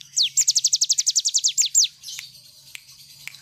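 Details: Cigun bird in full song, used as a training recording for other songbirds: a rapid run of about fifteen sharp, high, downslurred whistled notes in under two seconds, then softer scattered ticks.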